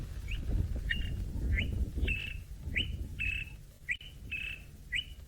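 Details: Greater honeyguide in the Maasai Mara, its call played as a recording: a clear two-part 'vic-tor' whistle, a short rising note then a longer level one, repeated about twice a second over a low rumble.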